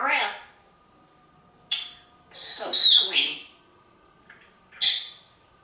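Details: African Grey Parrot kept as a pet, perched on a kitchen drawer, communicating in sharp, high, chirpy syllables and squeaky talk-like bursts in irregular clusters, with short silences between.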